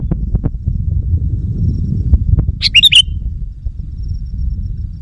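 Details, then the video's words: Sooty-headed bulbul lure call meant to provoke wild bulbuls: a single brief bubbly, warbling phrase of three or four quick notes midway, over a steady low rumble and faint high whine. "Suara Burung Kutilang Pikat GACOR Sekali Putaran Kutilang Liar Auto Emosi!"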